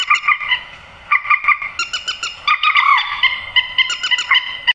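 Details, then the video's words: Grey-headed swamphen call for luring birds into nets at night: short runs of rapid nasal honks separated by brief gaps, ending in a faster, higher chattering series. "tiếng trích ré tặng ae đánh chim đêm bao đâm lưới"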